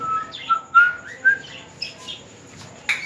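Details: Talking parrot kept as a pet in a small room, producing short level and upslurred whistles in quick succession, then a sharp squawk-like burst at the end.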